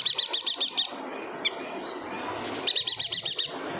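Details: Yuhina from Kalimantan, kept as a song tutor for other cage birds, gives two rapid runs of high, tinkling repeated chirps separated by a pause with one brief note, over low steady background noise.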